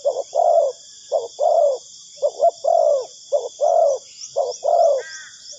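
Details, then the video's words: Spotted dove lure call used for trapping: low hollow coos in repeated phrases of a short note followed by a longer one, with a steady high electronic whine throughout. "Suara Burung Tekukur Bersih Cocok Untuk Pikat"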